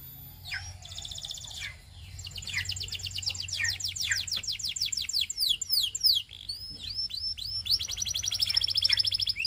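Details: Belgian canary sings to tempt other canaries to sing: a long, loud run of rapid trills and rolling high notes, with quick buzzy phrases and sweeping chirps, over a faint low hum.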